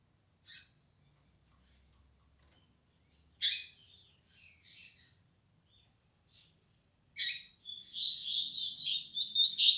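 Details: Sharp isolated chips and short notes from a young Double-collared Seedeater of the 'flecha negra' line, starting to sing more firmly, ending in a sustained high, rapid twittering warble.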